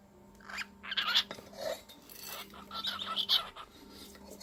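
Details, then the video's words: Pet cockatiel indoors, excited while playing with its new food bowl, giving a run of scratchy, raspy chirps and squeaky notes with brief whistled tones, over a steady low household hum. "Very Smart And Cute Cockatiel Has A Chat, Sings"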